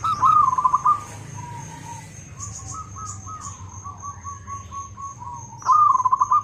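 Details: Local zebra dove, loud and prolific with good rhythm, opens and closes with strong rattling coo phrases, while quieter pulsed cooing continues between them over a faint high whine.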